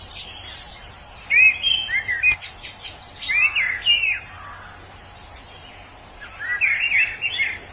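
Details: Wild orange-headed thrush, a bird said to sound like a drunk person, singing short varied whistled phrases that slur up and down, given in separate bursts with pauses, over a steady high insect hiss.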